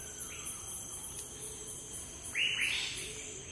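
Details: Andaman woodpecker in a field recording from the Andaman and Nicobar Islands, India: one loud, high, arching call rising then falling, after a faint earlier note, over a steady ticking insect chorus.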